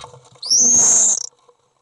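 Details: Common Swift at a nest box, young being fed, recorded 10 June 2011; one loud, shrill screaming note, high-pitched and slightly rising, lasting under a second, then silence.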